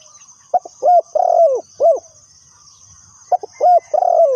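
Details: Spotted dove used as a decoy in trapping, giving two cooing series. Clipped introductory notes lead into long, throaty coos, with a pause of about two seconds between series. Continuous high-pitched insect noise.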